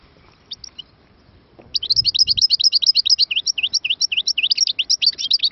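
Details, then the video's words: European goldfinch singing: after a quiet start, a rapid, dense run of high twittering, chirpy notes begins near two seconds and continues unbroken to the end, with faint low rumbles early on. "#مقنين_مبدع نوطات ولا أروع"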